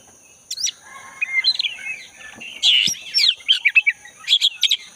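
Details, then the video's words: Forest recording of a black-breasted magpie-robin singing energetically, meant to prompt a caged magpie-robin back into song: scattered high notes, then dense mixed phrases of buzzy and whistled elements, a steady high drone continuing throughout. "Pancingan burung kacer dada hitam gacor buat kacer yang macet bunyi"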